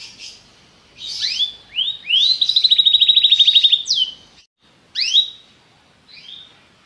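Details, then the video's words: Belgian canary with a popular song for getting canaries in form: rising slurred whistles, then a fast even trill for about two seconds, followed by a few single upswept notes. "a canção do canário belga que é popular, seu canário logo estará quente"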